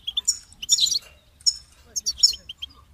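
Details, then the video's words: Goldfinch song in short bursts: a few high chirps, a dense twittering cluster, a clear whistled note, then another quick volley of bright tinkling notes separated by pauses. "Amplifying the Goldfinch's Voice"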